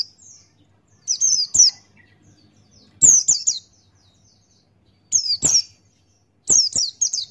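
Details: Buxtoni white-eye giving gacor ngalas open-beaked song for a tutor recording: clusters of two or three high, quickly falling chirps, each cluster spaced about one and a half seconds apart, in an otherwise quiet setting.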